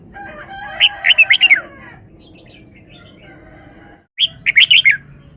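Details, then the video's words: Caged red-whiskered bulbul delivering its prized wild-style song: two loud, bright phrases of five to six rapid, clipped whistled notes separated by a pause, with soft lower chirps and faint background hum. "นกกรงหัวจุก 1033 จ้าวมาดี สำนวนดี"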